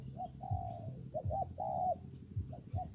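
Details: Spotted dove in rainy, windy weather: a long smooth coo, then two quick notes leading into another drawn-out coo, with short notes trailing. Low wind noise underneath.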